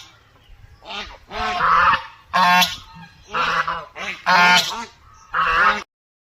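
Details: Village duck quacking rapidly, about one harsh, buzzy, nasal call per second, the bursts varying in length before stopping abruptly.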